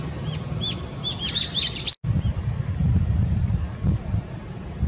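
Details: Long-tailed tit, 17 April 2020: a burst of high, thin, rising-and-falling calls in the first two seconds, then a brief cut and a steady low rumble with only a faint call or two afterward.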